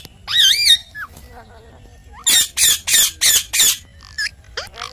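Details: Pet parrot, described as talking: a wavering whistled note, a short pause, then five loud harsh squawks in quick succession, with faint low background rumble.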